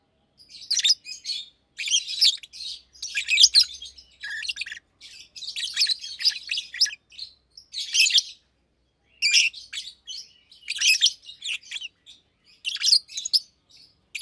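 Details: Daytime chirping and singing from two adult Fischer's lovebirds housed in cages; repeated bursts of shrill, scratchy twitter roughly every second, steady throughout with short silent gaps.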